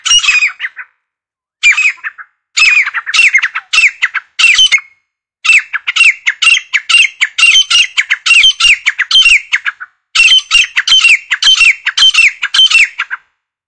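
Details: Grey partridge hunting call: loud, harsh, grating notes in quick rhythmic bursts, repeated in runs with brief pauses; no other sounds stand out.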